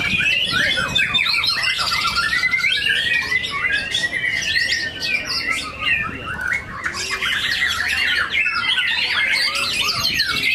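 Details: Caged white-rumped shama from Palembang performing at the BMBK Cup 3 songbird contest in Lampung on 17 December 2023: a dense, rapid stream of varied whistles, trills and harsh notes, with other contest birds audible around it.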